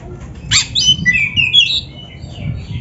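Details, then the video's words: Magpie-robin (kacer) song from a master recording to coach beginner or reluctant caged birds; one brief harsh note followed by a clear gliding whistled phrase, then faint softer notes. "SUARA BURUNG KACER GACOR MASTERAN"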